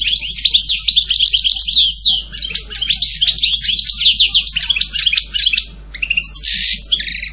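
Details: European goldfinch in continuous song, a bright, rapid tumble of twittering, liquid notes and buzzy trills with hardly a break, ending in a short burst of harsher chirps.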